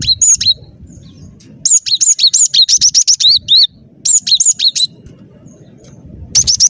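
Cinereous tit in rapid, high, chattering bursts of sharp chirps and squeaky twisting notes, with short pauses between phrases.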